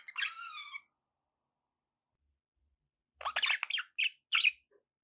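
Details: Caged pet budgerigars: one drawn-out nasal warbling squawk, a pause of over two seconds, then a quick flurry of scratchy chirps and two short sharp calls.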